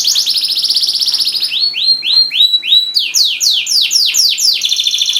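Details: Canary song to coax silent canaries into song: a high trill breaking into clear repeated swooping whistles, then faster descending slurred notes, loud and varied.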